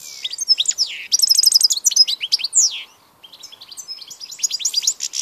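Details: European goldfinch, 16 March 2014, singing a fast jumble of liquid twitters, a stuttering buzzy trill and long downslurred whistles, followed by softer, thin chattering notes.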